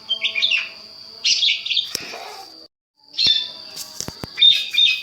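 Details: Long-tailed shrike master recording used to provoke replies: buzzy high chatter and trills over a steady high tone, with a brief silent break and some clicks.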